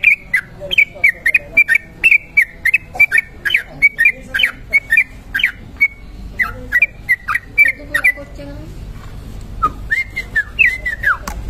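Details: Trucuk kebo bulbul in long ropel singing used for luring and tutoring: dense runs of bright slurred chirps, a brief break, then rising whistled notes, with low background hum.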